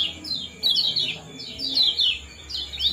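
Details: Common iora, 'ciak jos' style calls used as a breeding-condition trigger; slower phrases of shrill, sweeping down-slurred chirps, each cluster about half a second long, repeated roughly every second.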